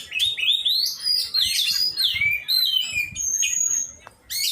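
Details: Oriental magpie-robin during song training, giving sweeping slurred whistles that rise and dip, then a long level high whistle near the end, over faint low background noise.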